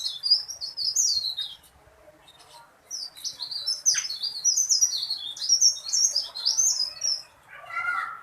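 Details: Tailorbird, described as small but singing loud, long and continuous, kept as a songbird: rapid high, sharp, chirping phrases in two long bursts, with a lower warbled note at the end.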